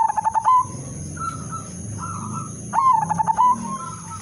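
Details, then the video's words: Zebra dove (perkutut/merbok), udanmas silver, sung as a lure to make other zebra doves join in: a loud, melodious, pulsed cooing phrase opens, softer distant cooing follows, then the loud phrase returns; a steady high whine runs throughout. "perkutut/merbok udanmas silver irama merdu spesialis pancingan bikin semua perkutut ikut manggung"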